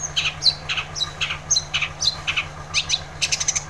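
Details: Long-tailed shrike song for provoking a quiet shrike to sing: a lively stream of short chirps, squeaks and thin high whistles, closely spaced and irregular, over a low steady hum.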